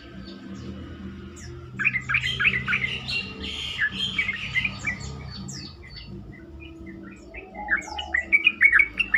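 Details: Lure song of a yellow-vented bulbul, played to draw replies from other bulbuls: bursts of rapid chattering, bubbling phrases separated by a quieter pause, over a steady low hum with faint distant chirps.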